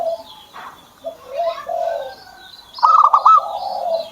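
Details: Kept zebra dove cooing in soft low notes, rising into a quick rolling trill of rapid pulses near the end. Faint higher chirps and background hum are also present.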